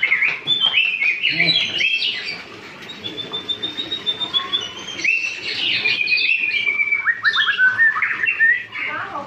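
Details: White-rumped shama, a young bird still learning to sing, pouring out rapid whistles and high trills, with quick repeated chattering notes near the end.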